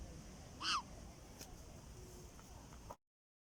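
A black-headed caique gives one brief, loud, nasal squawk that arches then falls, followed by quiet room noise.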